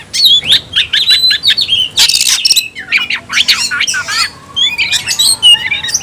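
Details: Fight-challenge shouts of a kacer (Oriental magpie-robin): whistled twisting notes, a loud rasping buzz in the middle, then tumbling rapid phrases and scattered high whistles.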